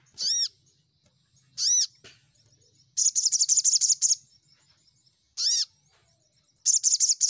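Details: Lure song of a crimson sunbird for calling rival birds: arched, ringing high notes alternating with rapid chattering bursts of shrill clicks, pattern repeating twice across the recording.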